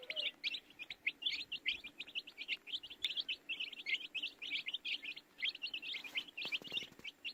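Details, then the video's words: Many baby chicks peeping nonstop, short bright chirps packed closely together in a busy chorus, with faint clicks and low hum behind. "Baby Chicks Chirping Sounds"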